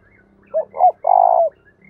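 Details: A single coo phrase from a decoy spotted dove used for luring wild doves: two brief hoots, the second longer, then a sustained, pulsing low coo lasting about half a second.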